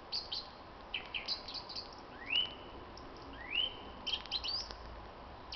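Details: Spring evening song of a common blackbird, 26 March 2010. Two clear, rising whistled notes that level off stand out among short, high, chittering bursts, all over a faint constant hiss.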